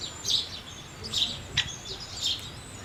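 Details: House sparrows chirping: a few short, sharp, high chirps spaced about half a second apart, with faint background hiss and low rumble.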